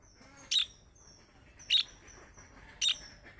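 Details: Budgerigar making young-bird calling notes meant to draw replies from other budgerigars. Three loud, scratchy chirps come roughly every 1.2 seconds, linked by thin, high, level whistles.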